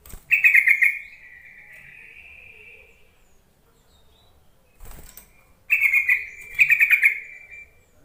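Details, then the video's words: Yellow-vented bulbul call used to coax reluctant, newly caught caged bulbuls into singing: a loud bubbly chattering burst, a long thin steady note, then two more rapid chattering bursts near the end. "Suara panggilan trucuk untuk memancing trucukan bahan ombyokan malas bunyi"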